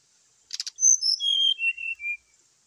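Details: Morning fighting call of a brown-chested jungle flycatcher, meant to stir rival birds: a brief click pair, then a string of pure whistled notes descending steadily in pitch over about one second.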